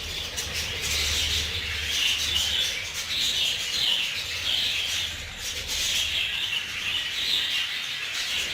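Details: Breeding colony of budgerigars prepared for mating; a steady wash of overlapping chirps, warbles and squawks from many birds, with brief louder calls standing out every second or so.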